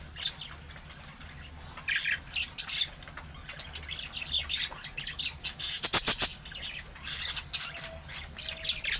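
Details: Budgerigar calling, the sound said to be the calling warble of young birds that makes other budgerigars answer: scratchy, buzzy chatter in bursts, with a loud rapid rattling trill midway over steady background hum.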